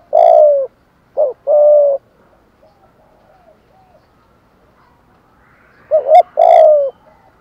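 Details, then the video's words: Spotted dove, used as a decoy bird to attract other doves, giving low cooing phrases: a short double note followed by a longer falling coo, repeated twice with a pause between; quiet background. "tieng chim cu moi gay goi cu moi gay hay"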